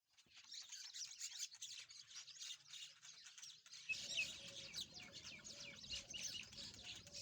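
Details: Rosy-faced lovebirds, also called peach-faced lovebirds, playing together: a dense, unbroken chatter of high, scratchy chirps and twitters from several birds, with a low background hum joining halfway through.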